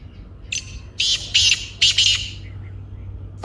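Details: Black francolin, known locally as kaala teetar, in lively call: a short grating note, then three loud rasping bursts in a stuttering series over about a second and a half, over a low steady hum.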